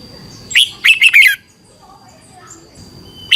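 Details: Red-whiskered bulbul song from Thailand, aimed at teaching or exciting caged birds: one brisk phrase of four chirpy, slurred whistles, then quiet with faint distant sounds and a single note at the end.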